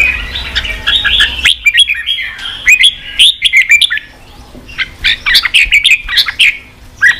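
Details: Red-whiskered bulbul, sung to excite a young bird toward fighting; bubbly whistled phrases, a short pause, then renewed bursts of sharp chirps and slurred notes.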